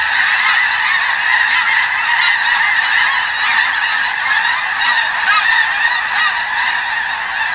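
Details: Thousands of snow geese on a wheat crop in Washington's Skagit Delta, where crackers are used to move them off: an unbroken chorus of shrill, overlapping honks with slight surges in loudness.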